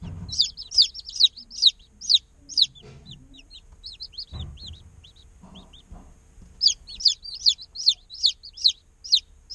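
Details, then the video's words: Day-old domestic chicks chirping: bursts of rapid, high, down-slurred peeps, about two per second, at the start and end, with a quieter stretch of scattered softer peeps and a few low thumps between. "Chicks Chirping Sounds - Baby Chicken Sounds"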